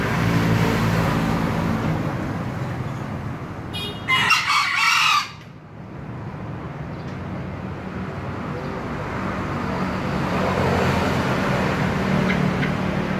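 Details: Crow of a green junglefowl: one brief, rasping, harmonic outburst in the middle, set against continuous low droning noise before and after.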